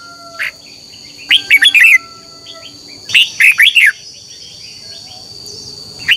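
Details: ['Red-whiskered bulbul morning contest singing, used to train and stimulate birds: two loud, quick warbled phrases of four or five slurred notes rising and falling, separated by near-silence, with a steady high tone throughout.']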